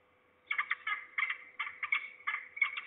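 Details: Falcon calling at Trzebież, Poland, on 2 September 2019 in the afternoon, one of at least two falcons with the nearer bird below, possibly a young bird or a parent; after a short silence, harsh rasping double notes repeat roughly every third of a second.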